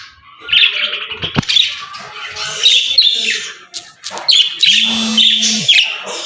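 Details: Pet budgerigars' morning sound: a bright, scratchy chatter of fast chirps and harsh squawks, with a brief low hum.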